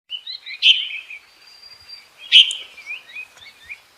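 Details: Bulbul calling for a mate, recorded 28 May 2021: two sharp, bright chirped notes about a second and a half apart, each trailing into soft warbled twitters, with quiet gaps between.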